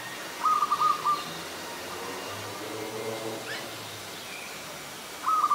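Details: Adult zebra dove (Geopelia striata) recorded in Ubon Ratchathani, Thailand, 24 February 2022, giving short trilled, rolling coos, one burst near the start and another at the end, with quiet background murmur between.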